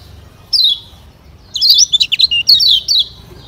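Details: A Lombok Lemon-bellied White-eye gives a thin, high, sliding note, then a quick run of bright twittering chirps lasting over a second.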